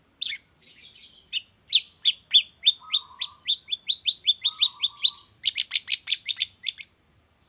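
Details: Morning lure for long-tailed shrikes, meant to make reluctant birds sing: a fast string of short, sharp, downslurred chips, with two low buzzy trills in the middle and a dense rapid burst of high ticks at the end.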